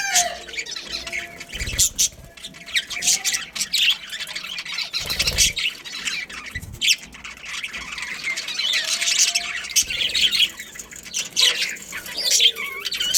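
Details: Budgerigars in a breeding colony with a breeding pair, giving dense, continuous high chirping and squawky chatter from many birds at once, with brief louder bursts and a few low thumps.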